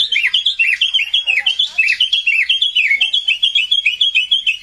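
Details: Pet white-rumped shama singing gacor, a rapid, continuous warble of looping whistled notes, rising and falling quickly in tight, varied phrases with no pauses.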